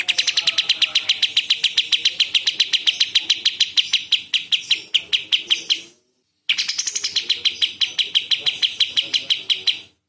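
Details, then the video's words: Contest-training song of the cililin, delivered in sharp, rough 'tembakan' bursts: a long, even run of quick chipping notes, several per second, breaks briefly around six seconds, then continues at the same rapid pace. "CILILIN GACOR tembakan kasar tajam"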